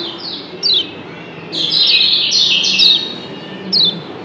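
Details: Kecial kuning, the yellow white-eye of Lombok, calling in 'doble ciak' style: a few isolated high, downslurred chirps around a short, intense burst of squeaky twitters.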